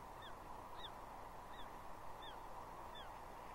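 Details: Juvenile bald eagle, a female, perched on a tree at Two Harbors on Catalina Island, 30 June 2021, squealing at her father for fish: five high, downward-sliding squees at roughly two-thirds-second intervals against steady wind-like hiss.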